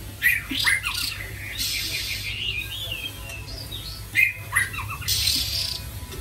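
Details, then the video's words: White-rumped shama kept in captivity in Vietnam: loud harsh clicking bursts alternate with short slurred whistles and a soft warbled passage, heard over a low indoor hum. "chòe lửa tiếng hót êm ái"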